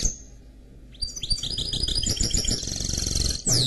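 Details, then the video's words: Singing mule bird, canary crossed with goldfinch, delivering after a near-silent second a lively stream of quick upslurred chirps and twitters, closing with a sharp falling sweep. "Chant Mulet Canari X Chardonneret"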